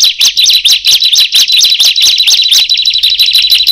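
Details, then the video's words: Bar-winged prinia calling, which other birds then answer: a loud, rapid run of high, sharp chirps sweeping up and down, about two notes a second in overlapping bursts, with a dense, scratchy texture and nothing else audible. "Awalnya Dikira Ciblek Biasa Setelah Berbunyi Yang Lain Jadi ikutan Berbunyi"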